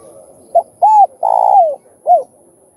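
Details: Spotted dove cooing in a full call sequence meant to provoke other doves: clipped opening note, arched hoot, drawn-out vibrating coo that drops at its end, and a last short rising-falling coo, with faint low background hum.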